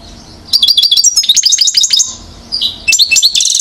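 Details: A one-year-old European goldfinch sings in Mouzaia, Algeria, 2012: a lively string of quick, high, tinkling notes, a brief break, then a buzzy rattling phrase to finish.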